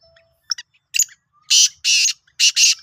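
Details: Black francolin, a Sindhi kala teetar, recorded 16 March 2023: faint short chirps, then four loud harsh, grating bursts in two quick pairs, each about a quarter second long.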